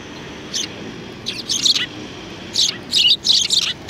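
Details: Sparrows in a group, recorded 2 January 2019: short bright chirps in two bursts, a few single notes then clustered chirping around three to four seconds, over a quiet steady background.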